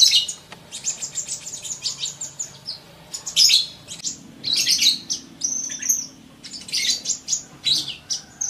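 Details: Rapid sunbird song from a masteran intended to make birds sing quickly: dense runs of very high chirps and trills in uneven bursts, short gaps between phrases, some brief whistled notes between them.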